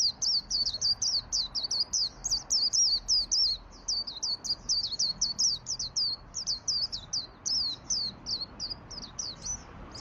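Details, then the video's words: White-eye singing energetically in the wild-type 'ngalas' style, used as a lure and tutor recording for training other white-eyes: a rapid, continuous run of high, thin, twittering chirps and trills, about three notes a second, over faint background hiss. "Pancingan suara burung pleci gacor"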